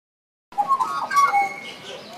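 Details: Australian magpies duetting at Zoo Berlin, with overlapping flute-like, warbling mid-pitched notes that rise and fall in a quick tangle after a brief silence.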